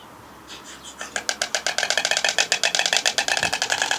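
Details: White storks (Ciconia ciconia) bill-clattering: a dry, wooden rattle of rapid clacks that starts hesitantly, then quickens into a steady burst of many strokes per second.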